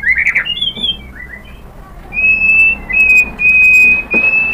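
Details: White-rumped shama song used as a lure for other shamas: a brief twisting note, soft slurs, then long pure steady whistles broken by short pauses.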